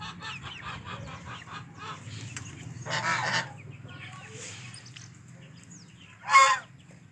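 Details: Two big geese fighting. A rapid series of short honks comes first, then a thick, harsh honk near mid-clip and a sharp, loud honk near the end, over steady low background noise.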